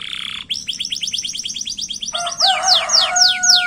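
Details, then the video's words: Canary singing as a lure to prompt other birds to sing: a buzzy burst, then a quick run of repeated high chirps, followed by steady whistled tones under loud descending sweeps. "KENARI GACOR SPEED PENDEK UNTUK PANCING SUARA"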